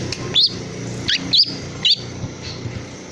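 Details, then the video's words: Three-month-old young long-tailed shrike, kept bird still vocal after its tail feathers were plucked, giving four scratchy, buzzy chirps within two seconds, then quiet, with a low background hum. "piyek cendet 3bln super bandel. habis di cabutin ekor..tetep bunyi."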